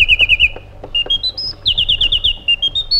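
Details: Short burst of white-eared bulbul song: a quick series of five bright repeated notes, then a stepwise rising run of pure whistles, another rapid series of repeated notes and a closing climb of whistles.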